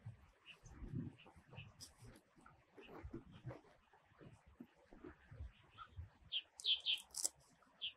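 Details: Red-bellied thrush, a winter passage migrant in Taiwan: after several seconds of low rumbling background noise, a quick run of short, high chirps, some of them doubled, comes near the end.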